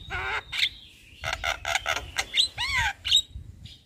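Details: Javan myna in full song during the day outside a house: a varied medley of harsh squawks, rasps and a down-slurred whistle, notes uneven in spacing, with a soft low rumble in the background.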